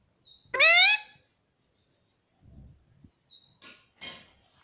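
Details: Pet Indian ringneck parrot talking indoors. One loud, high, harmonic-rich rising syllable lasts about half a second. It is followed by faint thin whistles and soft clicks.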